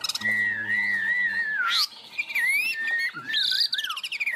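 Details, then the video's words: Caged, tame Chinese hwamei perched on a peach branch, praised for fine high-pitched singing: long wavering whistled phrase, then sharp upward sweeps and bright looping whistles, with a faint low hum early on. "Chim họa mi thuần, hót tốt, hót cao cầu"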